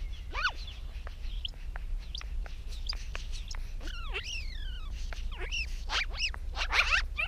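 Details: Chatty magpie landing on a post, giving a loose mix of short clicks, sharp ticks and swooping slurred notes, some rising then falling, growing denser toward the end, over a constant low background hum.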